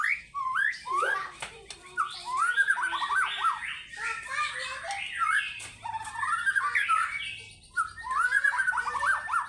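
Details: White-rumped shama in vigorous fighter-style singing, unloading its fills: dense, continuous rushes of slurred whistles and rapid zigzag notes, loud throughout with only short gaps.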